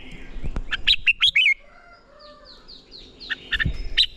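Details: Training song of a red-whiskered bulbul for stirring competition singing: a quick phrase of bright, looping whistles, then a series of soft, falling whistles from farther away, then more chirpy notes.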